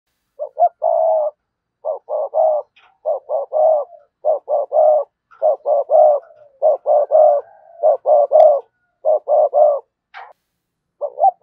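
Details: Spotted dove kept as a decoy bird, cooing in the styles called "sa gù" and "thúc bổi": a long run of short, low, hollow coo notes in clustered bursts, roughly fifty per minute, with brief pauses between groups; otherwise quiet.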